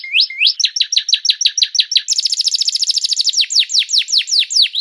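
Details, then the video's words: Caged canary song played as a master recording for training songbirds: fast rolling trills of rapidly repeated rising and falling notes, which shift into a quicker, denser buzzing run and then slow into longer sweeping notes. "MASTER JEDA KENARI"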